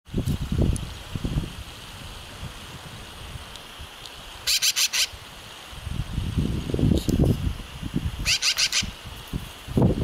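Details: Black-billed magpie at Trout Creek Campground on the Deschutes River, Oregon, 2018: harsh, rattling chatter in short bouts of rapid pulses, three bouts roughly two to three seconds apart, over strong low wind rumble.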